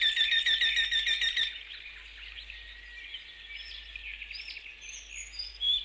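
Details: Eurasian wryneck (Jynx torquilla) song: a fast run of ringing, nasal notes, several per second, then fading, while softer chirps and twitters from other birds continue in the background.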